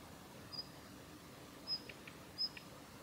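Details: Female Daurian redstart, Kita-Fuji training area, Japan, 7 November 2021: three faint, thin, high whistled notes spaced about a second apart, with soft low knocks between, in quiet surroundings.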